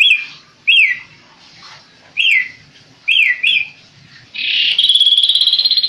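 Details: Tame kaso-kaso bird singing: single and paired loud descending whistled notes spaced about a second apart, ending in a sustained harsh buzzy trill.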